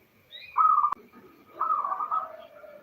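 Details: Female local zebra dove calling to males, used as a lure; two drawn-out, slightly wavering coos separated by a click and a short pause.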